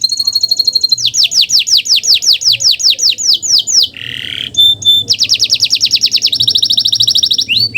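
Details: Canary singing a master recording meant to stimulate quiet canaries: a high whistle, a series of descending swept notes, a harsh buzzy burst, then fast even trills ending in an upslur.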